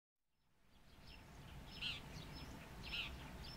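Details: Brown shrike, a common migrant breeder near Khabarovsk, gives two short, harsh mid-pitched notes about a second apart, with fainter chips between, over a steady low rumble of background noise.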